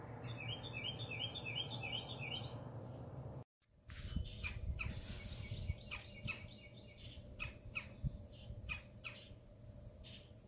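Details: Red-bellied woodpeckers (Melanerpes carolinus), at least two males and a female visiting feeders, calling outside a skylight: quick bursts of sharp, chattering notes over a steady low rumble.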